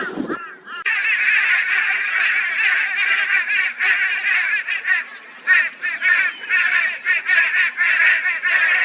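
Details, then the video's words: Crows join forces against a barn owl in Brisbane, Australia, on 22 February 2022; after a brief low sound, a loud unbroken wall of rasping, nasal caws follows, pulsing in rapid bursts. "Crow Reacts to Barn Owl with High Volume Raucous Noise"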